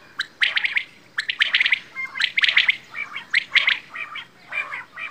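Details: Quail, named bedana or batair, calling in irregular bursts of harsh, squawky chirps, several quick notes per burst, nearly continuous through the recording with brief pauses.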